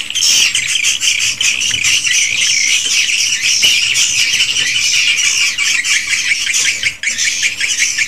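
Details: Dense swiftlet chorus recorded in a swiftlet house, original recording: rapid, overlapping high chirps and buzzy twitters pulsing continuously from many birds.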